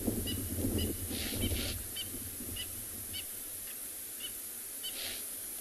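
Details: Spurfowl giving an alarm call on an afternoon safari drive in a South African private game reserve, near impala: short, sharp, ringing notes repeated roughly every half second over steady vehicle engine rumble.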